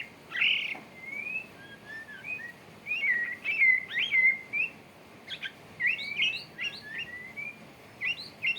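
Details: Male white-rumped shama courting, giving a string of clear, sliding whistled notes, some rising and some falling, spaced irregularly, followed by shorter chipping notes near the end.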